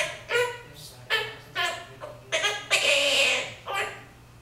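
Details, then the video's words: A monk parakeet talks, apparently saying "I'm a little Quaker", in a quick run of about six short, throaty, speech-like syllables with a harsher raspy phrase in the middle, in a quiet room. "I'm a little Quaker"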